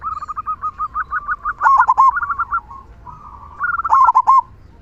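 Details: Local zebra dove singing actively with a big "kung" voice, used to lure and excite other doves: a fast run of pulsed coos rises into a loud rolling phrase, a pause, then another climbing run and phrase.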